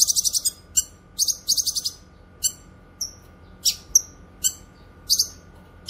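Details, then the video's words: Grey-cheeked bulbul (cucak kinoy) for tutoring cage birds and luring wild ones: opening rapid stuttering rattle, more quick buzzy runs, then single sharp high downslurred chips spaced about half a second apart. "Masteran suara burung CUCAK KINOY gacor cocok untuk masteran dan pikat"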